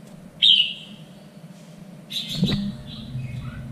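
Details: Captive red-whiskered bulbul (Pycnonotus jocosus) song, recorded for training fighting bulbuls: two short, bright whistled phrases about two seconds apart, the second a little longer and richer, over a faint low hum.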